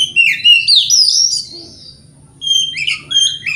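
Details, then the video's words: White-rumped shama singing as a provocation lure for other shamas: a run of sweet whistled slurs and descending notes, a pause, then sharper rising and falling whistles; steady faint low hum underneath. "30 Menit Dengarkan Pancingan Kacer Ini - Kacer Jenis Apapun Gak Kuat Nahan Emosinya"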